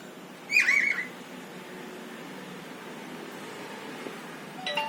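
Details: A white and yellow cockatiel gives a single loud, warbling screech lasting about half a second, then falls quiet against a faint indoor hum.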